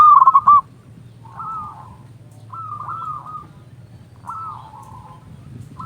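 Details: Loud local zebra dove used to lure and excite other doves: a brief loud run of clipped coos at the start, then three softer, slurred trilled phrases at even spacing, as if from more distant birds.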